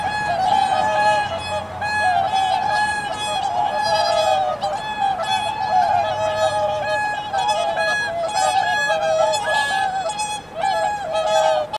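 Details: Whooper swans in Aomori City, Japan, recorded in 2021: many nasal, harmonic honks overlap in a dense, continuous chorus, with a steady tone running underneath throughout.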